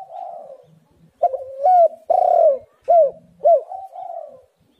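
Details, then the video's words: Spotted dove coos played as a lure to get doves calling: low, soft cooing phrases of bent, swooping notes, several loud coos in quick succession followed by a quieter trailing coo. "tekukur super gacor"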